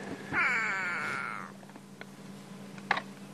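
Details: A go-away-bird perched above an animal during a July sunrise safari drive gives one drawn-out, nasal, wavering cry lasting about a second, over a steady engine hum and a sharp knock near the end.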